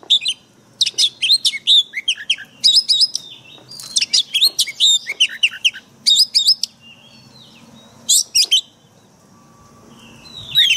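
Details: A white-rumped shama delivers forest-style training song for caged birds, with quick clusters of bright whistled and chipping notes, a few longer slurred whistles, and a calmer stretch near the end.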